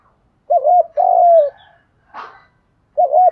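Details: Spotted dove coos meant to goad other doves into cooing and fighting: a short wavering double coo, then a long sliding coo, a brief rustle, then another short double coo begins.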